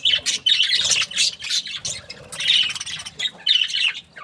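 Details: Budgies chirping in choppy bursts of harsh squawks mixed with thin whistled notes, pausing briefly between groups.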